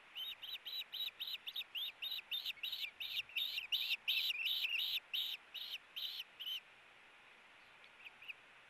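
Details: Osprey pair struggling over a fish at their Hellgate nest in August 2018, giving a long, insistent run of shrill, piping chirps, about three per second, which stops abruptly, leaving faint hiss.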